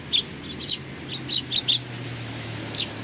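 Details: On 27 July 2020 a gathering of Eurasian tree sparrows chirps in welcome, a quick run of bright, piercing notes in the first two seconds, then a single chirp near the end, with a faint low hum.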